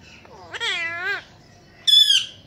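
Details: Ringneck parrot, a talking pet said to say words like Mitthu Bete, Kon Aya and Aslam Alaikum: two harsh, harmonic voiced phrases, the first a longer wavering note, the second short and high, in a quiet room.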